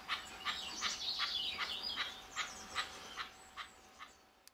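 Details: Red-legged partridge at The Lodge reserve in Sandy, UK, recorded from a hide on a rainy March 2012 morning. Its rhythmic, clipped notes come roughly every half second, while a small songbird twitters brightly over the first seconds.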